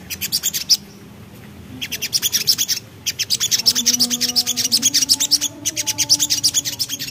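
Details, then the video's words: Javan black-capped babbler singing actively in the ngriwik style: fast series of sharp, dry chirps, about three per second, in bursts broken by short pauses, with a faint low hum beneath. "Suara Nembak Ngriwik Burung Sogok Ontong Gacor"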